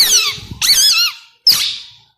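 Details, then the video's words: A tame two-year-old male plum-headed parakeet that talks in Urdu/Hindi gives three quick, shrill, warbling bursts of imitated words, high and squeaky, each wavering up and down before trailing off. "Talking Plum Headed Parrot"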